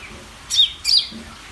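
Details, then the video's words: Greater green leafbird singing energetically: two loud, sharp, high whistled notes in quick succession, each a brief downward-bending chirp, then quiet. "SUARA CUCAK IJO GACOR DOR"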